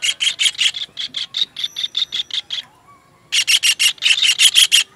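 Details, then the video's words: Kingfisher on a songbird training recording, giving a long chattering string of coarse, evenly spaced notes, a short silence, then a louder, denser burst of grating notes. "MASTERAN TENGKEK UDANG"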